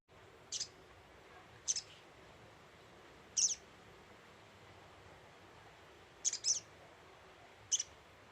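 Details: Little spiderhunter (sogok ontong) lure call: short, sharp, very high chips, often doubled, given about every one to two seconds over a quiet hiss.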